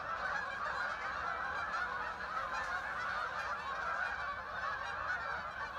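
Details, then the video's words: Thousands of ducks flying in and settling on the water at Hockanum River Linear Park, Vernon, Connecticut; a thick, even roar of overlapping nasal honks from the whole flock, constant in loudness. "thousands of ducks arrived making a strange noise"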